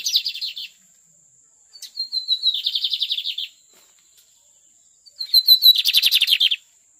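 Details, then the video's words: Lined seedeater delivering two loud song phrases: a few sharp introductory notes, then rapid buzzy trills held high, pausing about a second and a half between bursts, with a quiet background. "ESSE BIGODINHO MAGNATA É SENSACIONAL NA PEGADA!"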